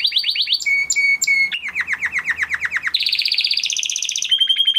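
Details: Crested Spanish Timbrado canary, a 2020-bred male kept in a breeder's flock, sings a training song. Fast trills run at about four notes per second and shift from high chirps to a lower, descending rolling series, then to bright, dense high trills.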